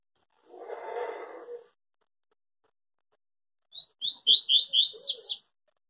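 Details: Yellow-bellied seedeater giving its pure Tui Tui song, said never to break in its singing: a short rushing noise, then a lone note and a fast run of high, sharp, chirping whistles lasting about a second and a half.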